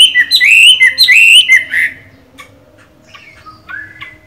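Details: Caged Chinese hwamei singing while moulting: a short burst of loud repeated slurred whistles, then a pause and a few quiet scattered notes.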